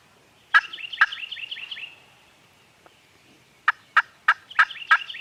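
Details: Turkeys gobbling on a farm, recorded with a Canon G7X camera: loud bursts mixed with fast, warbling rippling notes, a quiet gap, then a cluster of sharp gobbles in close succession.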